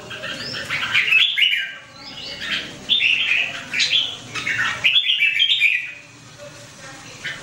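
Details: A red-whiskered bulbul sings in 2017, delivering a run of cheerful, slurred whistled notes in several connected phrases, loud and clear against a soft background hum.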